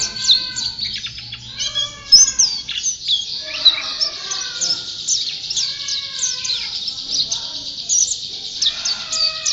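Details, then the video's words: Champion white-eye in persistent song, keeping up a very high, rapid twittering, while lower, fuller warbled phrases from another bird break in between its bursts. "Burung Pleci Juara Gacor"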